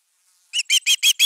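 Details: Osprey at its nest defending it, Finnish nest camera on 31 August 2021: a quick burst of five sharp, high whistled yelps in even succession, each note harsh and piercing, starting abruptly after a brief quiet moment.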